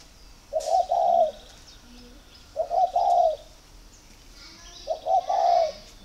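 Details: Spotted dove in Ba Vi, Hanoi, cooing as a sign of readiness for pairing: three evenly spaced soft phrases, each a double note leading into a drawn-out coo, over quiet background with faint chirps.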